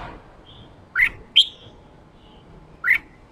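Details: Caged red-whiskered bulbul, a newly wild-caught bird being provoked to give its harsh ché call alongside a fired-up male: three short sharp rising notes, widely spaced, with a faint thin whistle between them.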